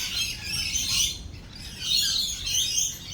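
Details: Lorikeets in stormy weather with thunder and lightning: two swells of piercing, hissy screeching chatter separated by a brief lull, over a soft background rumble.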